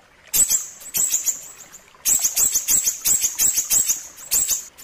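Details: Ashy tailorbird singing: bursts of very high, sharp, clicking chirps delivered in rapid runs, a short pause near two seconds, then a longer sequence of evenly spaced strident notes.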